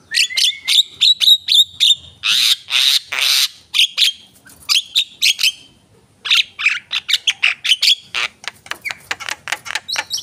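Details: Javan myna singing energetically: quick dry clicks and crackling notes mixed with harsh rasping bursts, a brief pause, then a fresh string of sharp ticking notes and thin whistles.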